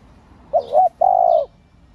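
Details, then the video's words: Spotted dove, a female calling to excite male birds: quick looping double note then a held steady coo, with faint high chirps from other birds. "CU MÁI.MÁI KÍCH TRỐNG.Tiếng cu gáy mái kích mồi tập bổi"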